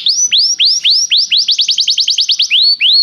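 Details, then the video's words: Belgian canary song for warming up a canary: spaced rising whistled notes, a fast run of clipped high notes in the middle, then slower rising whistles again. "canário belga muito lindo cantando, aqueça seu canário imediatamente"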